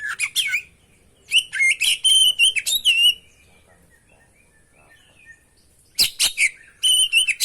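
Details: Oriental magpie-robin (kacer) in vigorous song meant to prompt other birds to sing: rapid strings of sweet whistles and harsh buzzy notes in bursts, a long pause, then a sharp chip and more whistled phrases.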